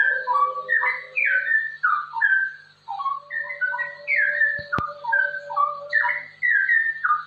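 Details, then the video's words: Straw-headed bulbul delivering a rapid ropel song for tutoring and luring other bulbuls: bursts of bubbling, downward-slurred whistles in short clusters, a single sharp click midway and a faint low drone. "suara cucak rowo ropel ini sangat cocok untuk masteran dan pancingan cucak rowo"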